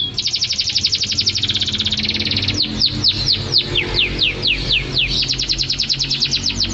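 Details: Singing canary in a master recording made to train songbirds: a fast, dense high trill gives way to spaced, sharply falling sweeps, then another rapid rattling trill, with low background rumble beneath.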